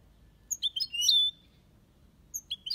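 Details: Aviary European goldfinch, copia Malaga style: a handful of sharp high chirps lead into a drawn-out buzzy nasal note, then a brief pause and another cluster of bright twittering notes.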